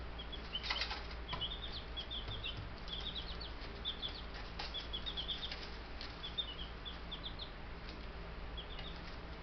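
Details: Buff Brahma chicks, a group of ten young birds, give a stream of high, brief peeps that run in quick clusters, mixed with soft scratchy rustling and wing flutters against a constant low droning hum.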